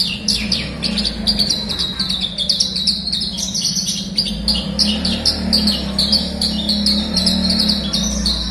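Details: Horsfield's bush lark song used as a prompting recording for cage birds that have stopped singing: dense rapid high chirps and twittering trills run continuously, with a low background hum.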